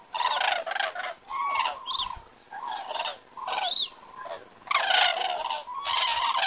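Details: Flock of common cranes circling overhead in Estonia on an evening in September: repeated loud trumpeting, bugling calls from several birds, some with rising-falling inflections, coming in bursts about once a second with short pauses.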